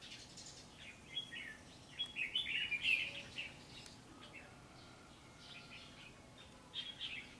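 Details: Wild-caught red-whiskered bulbul kept as a fighting bird gives bright, bubbly chirps and short warbled phrases in quick bursts.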